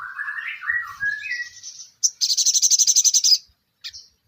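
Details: Ruby-cheeked sunbird in energetic 'nembak' style song: thin chattering warbles that wander up and down, then a fast buzzy high trill of about a dozen sharp notes, ending in a brief high chip.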